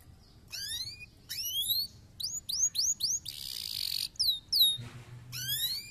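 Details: Canary song played to stimulate lazy canaries to sing: bursts of high whistled notes sweeping upward in quick repeated series, a short harsh buzzy phrase, then fast falling slurred whistles, with pauses between phrases.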